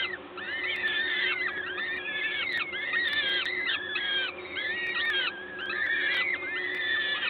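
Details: Calls at a peregrine falcon nest in Gdańsk, Poland, 14 May 2022, 11:07, during feeding by a parent. Continuous overlapping whining, arched notes from several birds, with a constant low electrical hum in the background.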